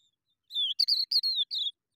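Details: Skylark nestlings begging hungrily for food: a run of five loud, thin whistled notes, each sliding downward, the middle ones quick and clipped, the last ones longer, in otherwise silent surroundings.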